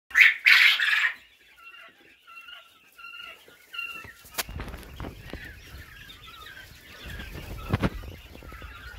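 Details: Three-week-old quail chicks give a couple of loud, harsh squawks, then soft, high peeps repeated every second or so over rustling and knocking.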